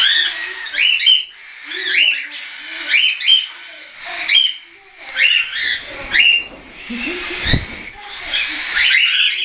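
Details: Hand-tame juvenile cockatiels, weaned and unweaned, flying on 10 September 2012. Strident rasping calls repeat roughly every second in a steady series, with softer low chatter beneath and a brief knock near the end.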